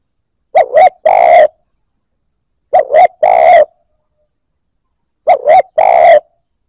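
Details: Captive, freshly caught spotted dove starting its cooing phrase, a call meant to get other new birds cooing. Three phrases about two and a half seconds apart, each a quick double hoot followed by a longer low coo.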